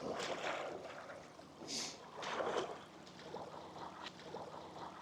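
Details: Splashing and rushing water surge and fade in waves, like paddling on a stream, with no animal voices.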